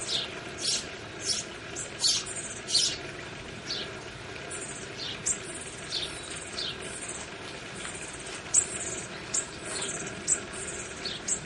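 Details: Bushtit (Psaltriparus minimus) nestlings being fed at a garden nest: thin, high, buzzy twitters in short bursts, about one or two each second, against a steady hiss of background noise.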